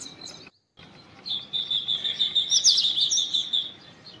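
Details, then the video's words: Indian robin song as a fast, continuous run of high sweet twittering notes, growing louder then fading, after a brief silent gap near the start. "Indian Robin Singing Songs / Indian Robin Call Vocals / Indian Robin Bird Call Song"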